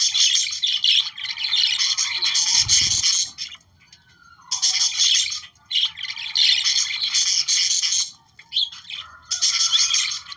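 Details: Australian parakeets chattering for breeding stimulation, harsh squawks mixed with fast twittering in runs of several seconds, a drawn whistle in a pause and one low thump.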